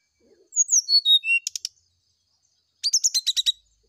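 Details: Brown-chested jungle flycatcher morning song, played as a lure to draw a reply: a clear descending run of whistled notes, then rapid clipped trills, with a second burst of fast chattering notes after a pause. Clean, quiet background.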